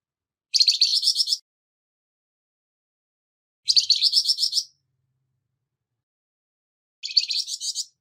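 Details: Flamboyan bird, harsh song used as training material for songbirds: three evenly spaced, coarse phrases of quick pulsed notes, each close to a second long, with long quiet gaps between them.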